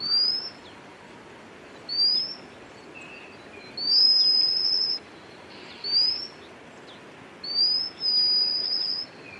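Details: White-capped redstart at Chakki Waterfalls giving thin, high, rising whistles, some short and some drawn out, about every two seconds over a steady rush of falling water.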